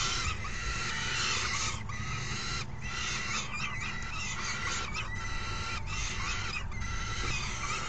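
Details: Falcon chicks at the nest on 3 June 2018, a hungry, raucous brood calling while a parent brings in a meal and the other feeds them; harsh, broadband screeching bursts run almost continuously over a steady low rumble of background noise.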